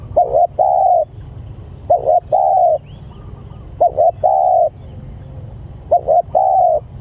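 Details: Spotted dove calls to its companions: paired short coos rolling into a sustained coo, four phrases about two seconds apart, with a faint distant chirp and low background hum.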